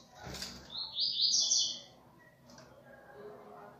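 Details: A Double-collared seedeater gives a "viviti"-type song: a bright, high, rapid twittering phrase lasting under a second, followed by a brief lone note, over faint background hiss.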